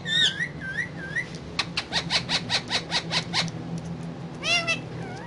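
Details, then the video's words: Parrot on a table among other parrots, giving wavering whistled notes, then a quick run of about ten pulsed, clipped notes, and ending with a bent, rising-falling whistle over a steady low indoor hum. "With Parrots And Talking"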